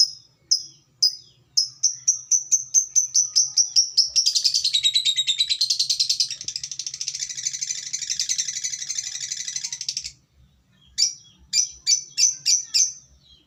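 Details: Lovebird ngekek meant to provoke other lovebirds: spaced high chirps speed up into a long, dense, unbroken buzzy trill lasting about six seconds, then stop briefly and return as quick separate chirps.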